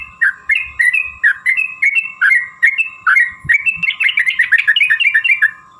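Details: Sooty-headed bulbul song used to provoke rival bulbuls into singing: loud clear chirped notes repeated steadily about three per second, becoming a quicker jumbled burst near the end, with a constant thin background tone.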